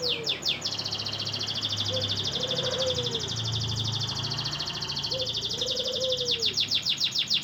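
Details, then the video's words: Canary in full, energetic song: long, rapid, high buzzing rolls and quick downward-swept notes, with a soft, low, rising-and-falling whistle recurring underneath and a steady low hum in the background. "Kenari Full Gacor"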